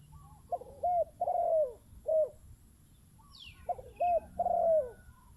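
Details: Decoy zebra dove answering wild birds: two phrases of soft coos, brief clipped notes leading into a long falling coo. A faint high chirp from another bird is heard between phrases.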